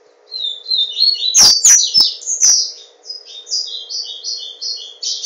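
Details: Captive Yellow-bellied seedeater (papa-capim) from Garanhuns, Pernambuco, Brazil, sings a long continuous high twittering strophe of quick slurred and buzzy notes that ends in evenly repeated short chirps, with a low hum and clicks beneath.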